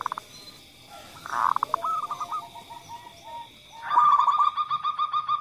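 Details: Female local zebra dove calling, then a male, used to encourage other doves to call: soft stuttered coo phrases over background hiss and hum, ending in a louder, rapid run of hollow pulsed notes.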